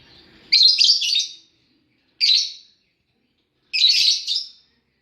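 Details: A lovebird kept with its chicks gives three bursts of high, harsh chattering chirps, the first and last longer and warbled, the middle one short, spaced about one and a half seconds apart, with silence between.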